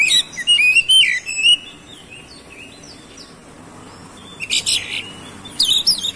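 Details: Kacer, the oriental magpie-robin, heard in a provoking song for other birds: a quick run of rising whistles, a quiet gap, then two dense bursts of high chattering notes.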